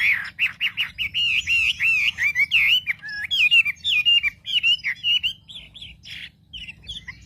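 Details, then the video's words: Wambi song used as a lure to provoke other wambi birds: a rapid run of loud, wavering whistled notes and short slurred phrases, repeated with little pause, with a low steady hum underneath. "pancingan suara wambi paling ampuh untuk memencing emosi burung wambi"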